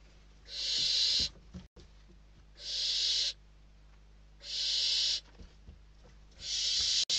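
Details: Inside a Spanish barn owl nest on 21 December 2023, chicks compete for a delivered bird. Long, steady rasping hisses come in four bursts about two seconds apart over a quiet background hum.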